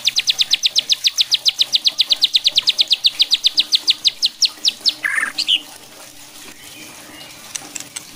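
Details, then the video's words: White-rumped shama singing to rile other shamas: a fast, even string of piercing high notes about four per second that slows toward the end, followed by a rough buzzy note and near quiet. "bikin MURAI BATU LAIN JADI GACOR EMOSI,,MUNTAH ISIAN"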